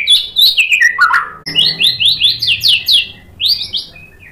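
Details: Song of a white-rumped shama played to stir rival shamas into reply: a descending run of quick notes, then a fast series of bright, rising chirps, ending with a few higher whistled notes.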